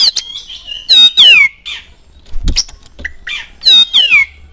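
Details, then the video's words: Oriental magpie-robin song played as a lure for kept birds to answer: loud descending slurred whistles with a ringing quality, interspersed with harsh buzzy notes and brief chips, the sweeping phrase returning near the end. "DENGAN PANCINGAN INI SEKETIKA KACER ANDA LANGSUNG NYAUT IKUT BUNYI"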